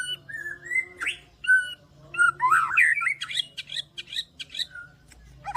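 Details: White-rumped shama in vigorous full song: clear rising whistles and sharp upslurred notes, then a dense jumble of warbled phrases and high squeaky notes, delivered loudly in quick bursts. A low steady hum runs underneath.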